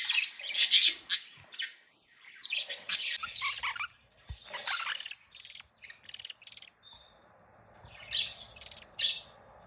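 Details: Happy, playing pet budgies sing in bursts of bright chirps and scratchy warbles, separated by short quiet gaps, with a few louder squeaks near the start and end.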